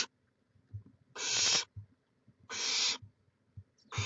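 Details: Barn owl on a nest cam in Chula Vista, California, recorded 18 May 2017, produces steady breathy hisses about half a second long, repeated roughly every one and a third seconds, with quiet pauses between.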